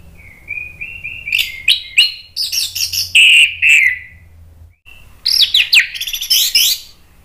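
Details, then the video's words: Orange-headed thrush in agitated song, used to prompt other birds to sing: a thin, steady whistle repeated and slowly rising, then loud varied warbles and slurred notes, a brief gap, and another fast warbling run. "ANIS MERAH spontan EMOSI NRATAK terus NGEPLONG ¦ PANCINGAN AM"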